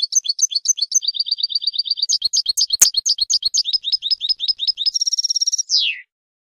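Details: European goldfinch song from a ten-hour training recording for teaching captive birds: a continuous stream of fast, varied high twittering notes, a brief click near the middle, a dense buzzy trill, then a falling slurred note ending the phrase.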